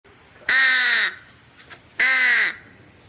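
A crow gives two loud, harsh caws, each about half a second long and spaced roughly a second apart, over quiet background.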